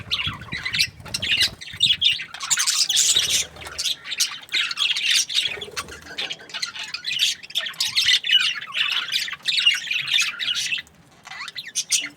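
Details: Breeding-season budgerigars chirping together: a busy, high warbling chatter of scratchy notes and squawks, swelling after a quieter start, staying dense for most of the stretch, then briefly dropping away near the end.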